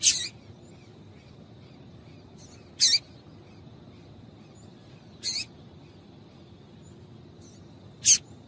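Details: Female yellow-bellied seedeater calling to stimulate males: four short, sharp, very high chips spaced roughly two and a half seconds apart over a faint steady high-pitched hum.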